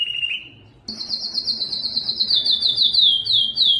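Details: A Belgian canary sings to arouse females before breeding; a short whistled note gives way after a pause to a long, high, rapidly pulsed trill that gently slides downward.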